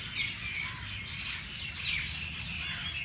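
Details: Morning bird chirping at Race Course Jilani Park, Lahore: bright, high twittering notes with quick slurred whistles, several calls overlapping, and faint low city noise underneath.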